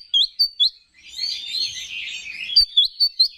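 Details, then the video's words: Kacer (Oriental magpie-robin) singing to excite competing males: sharp upslurred chirps, a dense scratchy babbling passage in the middle, then a run of quick bright whistled notes. "Pancingan Menaikan Emosi K4CER"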